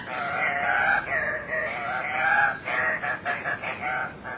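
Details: Displaying male Andean cocks-of-the-rock, two at a lek, subspecies saturata, Manu National Park, Peru, recorded 1 August 2005: drawn-out nasal squealing calls give way to a quick burst of short, choppy squawks.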